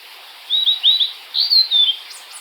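Blue-and-white flycatcher singing two quick phrases of clear, high slurred whistles, each rising then falling, with a faint hiss of background noise.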